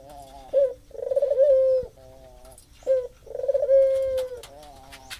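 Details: Lure recording of a puter dove for a bird that will not call: deep cooing phrases, a brief coo then a drawn-out, trilled, steady coo, repeated twice, with scattered sharp clicks in the background.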